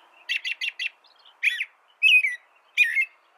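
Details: American robin singing: four quick identical chirped notes in a fast burst, followed by three longer, fuller warbled whistles with brief pauses, over a faint low hum.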